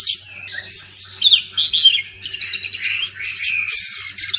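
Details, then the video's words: Oriental magpie-robin song used to prompt silent birds to sing, a rich varied run of loud whistles, slurred notes and rapid chattering trills at high pitch, delivered in quick bursts with short pauses. "Kacer pasti nyamber dan gacor klo dengar ini"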